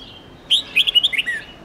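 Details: Red-whiskered bulbul song for teaching young, white-cheeked birds a long, many-note style: a rapid phrase of about eight bright whistled notes, warbling up and down and ending in a falling slur, with quiet surroundings.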